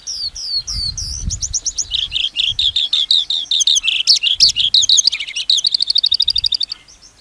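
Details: Lark in loud, continuous song: repeated high slurred notes leading into a long, varied outpouring of rapid chirps and buzzy trills, ending in a fast even rattle; faint low thumps underneath.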